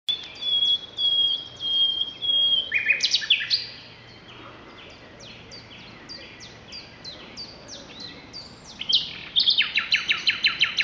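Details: Common nightingale singing at Brede High Wood on 2 May 2012: a long pure whistled note, then varied rapid phrases of clicks and buzzy chatter, ending in a fast loud repeated chuckling series, with quieter pauses between.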